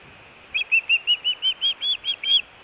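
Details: Osprey calling at a Montana nest in Hellgate, June 2017, around the delivery of a big fish: ten piercing whistled notes in quick succession, each briefly arched, rising slightly toward the end, against a low hiss.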